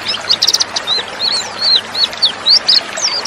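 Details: High, thin twittering notes from a female white-eye, played to stir males into answering and singing. Short rising and falling chirps follow one another about every quarter second, some in quick clusters.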